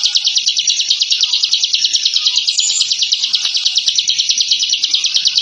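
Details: Captive bar-winged prinia (ciblek) delivering a ngebren song, a call used to intimidate rival birds: dense, fast-pulsed, high-pitched chattering trill that runs without pause and stays even in pitch.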